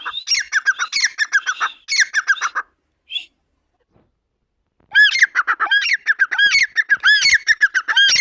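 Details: Grey francolin, locally called Dakhni teetar, calling in two bursts: first a harsh chattering series, then after a two-second pause, loud arched ringing notes repeated rhythmically, several per second.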